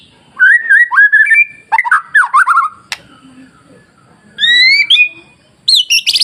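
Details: White-rumped shama masteran song meant to provoke other shamas into singing: loud, varied whistled phrases with rising and falling slurs, short bursts separated by brief pauses, ending in high, rapid chattering notes.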